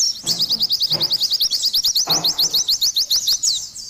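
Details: High-pitched, rapidly repeated rising tweets from an Oriental white-eye in full song, closely spaced chirps running steadily, with soft low thumps in the background.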